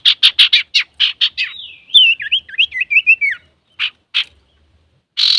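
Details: Actively singing male Common iora, used as a lure to stir other birds: a rapid string of harsh chattering notes, then a liquid, warbling whistled phrase that wavers up and down, ending with a few scratchy notes and a rasp.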